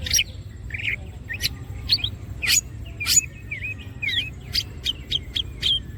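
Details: Greater green leafbird spreading its wings in gacor song, as masteran material: scattered sharp high chirps and a few curling, twisting whistles, spaced irregularly over a steady low hum.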